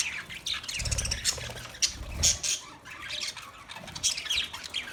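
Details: Budgerigar chattering with rapid high chirps, squeaky whistles and harsh squawks, plus low knocking noises behind.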